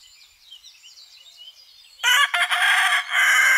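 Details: Rooster crowing in the countryside in spring 2018: two seconds of thin, high songbird twittering give way to a loud, harsh crow rich in overtones, briefly broken, then continuing strongly to the end.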